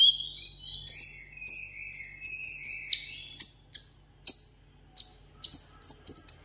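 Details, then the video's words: Sunbird kept caged in Vietnam, singing solo in a contest: loud high whistled phrases, some falling, given in clusters, then separated sharp piercing notes with short pauses between. "hút mật 7 màu hót đấu solo"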